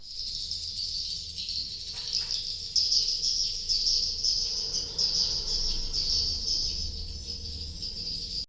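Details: Swiftlet calls meant to lure swiftlets to nest: a thick, high, buzzy twitter sustained throughout, with a few brief lower chirps near the start.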